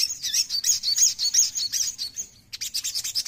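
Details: Oriental magpie-robin song, called sogon: a dense run of high, buzzy, twittering notes in rapid bursts, a brief pause near the end, then more quick chirping phrases.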